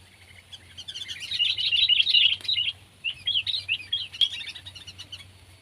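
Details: Sooty-headed bulbul (kutilang), pet or wild: lively, bubbling chatter of quick high chirps in two long phrases split by a brief gap, over a low steady hum.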